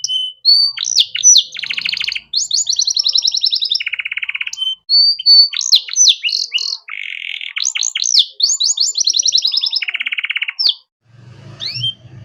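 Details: Canary singing a rich master song meant for young birds to learn: continuous high phrases alternating fast sweeping whistles with buzzy trills and rapid rattles, ending in a brief pause and low rumble.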